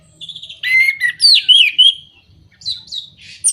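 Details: Orange-headed thrush singing, used to stir moulting or silent birds: a flowing phrase of loud slurred whistles sliding up and down, followed after a brief gap by softer rising notes and a short rough burst.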